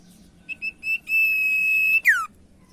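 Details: Lure song of a common iora for getting silent birds to sing: three short whistled notes build into a sustained high level whistle that breaks into a quick falling slur.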